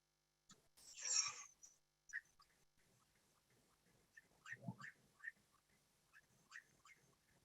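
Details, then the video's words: A Puerto Rican Nightjar, one of several heard singing all night from a roadside in Puerto Rico in January, gives faint, quick whistled notes that rise and drop, repeated every half second to second, after an opening burst of noise. "And I'll play the call of the Puerto Rican nightjar for you."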